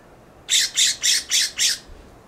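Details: A California scrub-jay perched in a plum tree in a backyard gives harsh scolding calls: five loud, rasping squawks in quick succession, about four per second, over a quiet background.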